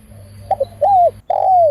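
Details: Close spotted dove, a decoy-trapping bird, gives one phrase: two short soft notes, then two long hoarse coos that arch up and sink down, the last one drawn out. A low hum sits beneath.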